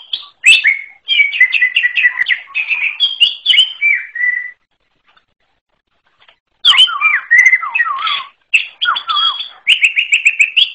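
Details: Long unusual song of a forest greater green leafbird: repeated quick chirp series, then after a silent gap more varied swooping notes and fast twitters.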